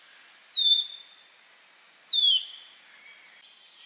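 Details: Mating song of a warbler, said to ready birds for mating: two clear falling whistles about one and a half seconds apart, then soft scattered high notes and a final high chip.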